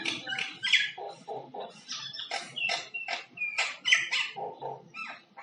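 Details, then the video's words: Common myna making a varied run of sounds like singing: harsh chatters, gurgles and whistled notes alternating with lower croaking bursts in a quick, uneven sequence. "Common Myna Bird sound like singing (Making different sound)"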